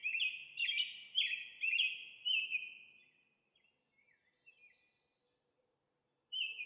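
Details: American robin giving a series of clear, slurred caroling phrases, each rising then falling, about two per second for three seconds, then a few soft notes and a pause before another phrase starts.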